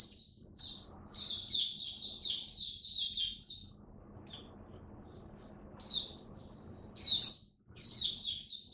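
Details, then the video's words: ['Caged oriental white-eye kept as a hobby bird, fed an adjusted diet for cold rainy weather, October 2022, singing in Buka Sing Raja style: bursts of bright, high chirping twitters, then a pause and more sharp whistled phrases.'] "Mata Puteh Buka Sing Raja"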